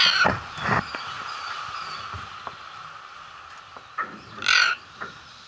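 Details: Captive macaws at Emperor Valley Zoo in Trinidad on a holiday: a harsh, broadband squawk bursts out near the end after quieter scattered calls, over steady background hum and distant zoo noise.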